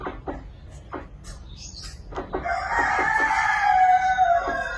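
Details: Chicken in a village: a few short separate clucks, then a long loud drawn-out harmonic crow that holds steady for about two seconds before fading.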